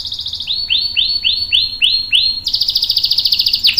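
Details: Canary song for training young and adult canaries: a fast high trill, then a run of about six repeated upward-sweeping whistled notes roughly every third of a second, ending in a rapid buzzy roll.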